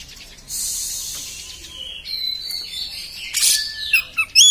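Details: Kacer singing rough beset phrases: a long hissing rasp, then stepped whistles, a loud scratchy burst and a few sharp rising and falling notes.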